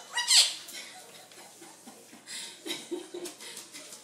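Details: A pet monk (quaker) parakeet going crazy as a nurse puts on gloves gives one loud, harsh, high squawk that drops in pitch, followed by softer scratchy chatter and faint rustling.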